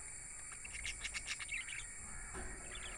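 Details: Budgies chirping, with a quick run of short, high twittering notes in the first half, then a few softer chirps near the end over a steady background hiss.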